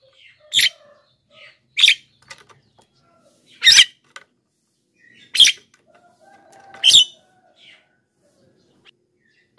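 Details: Black-winged myna in vigorous, nonstop song, used as a lure for wild birds and to set off lazy caged singers. Five loud, harsh, rasping bursts come irregularly about every one and a half seconds, with faint chattering notes between them.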